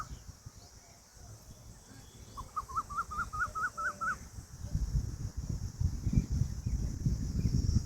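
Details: A peahen (Indian peafowl) utters a single burst of roughly eight short, clipped rising notes at a brisk, even pace, while low rumbling noise swells later.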